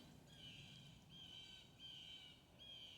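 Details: Blue Jays, described as really talking to each other, trade four drawn-out, nasal, slightly buzzy high-pitched calls, each about half a second, over a soft low rumble of outdoor background noise.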